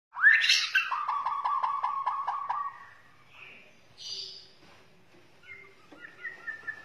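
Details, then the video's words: White-rumped shama from Borneo, a rising whistled note followed by a fast run of about a dozen repeated harmonic notes, then scattered softer whistles and high chips. "murai borneo"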